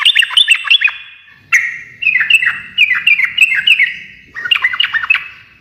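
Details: Bubbly, rapid chatter of a sooty-headed bulbul in energetic 'ngekek' style, a song said to set other birds answering; short bursts of quick rising-falling notes, each lasting under a second, separated by brief gaps.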